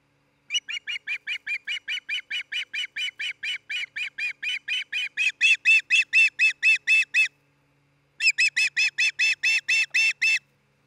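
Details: Osprey at a nest of a breeding pair near Charlo, Montana, on a nest camera, 27 June 2018, early afternoon: a long run of loud, clipped, whistled chirps, about two per second, building in strength, a brief pause, then resuming.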